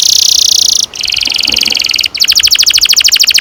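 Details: Canary singing a long rolling song, known locally as ngerol, used to train young canaries to sing: continuous high rapid trills that shift in tone twice, ending in fast, evenly pulsed notes.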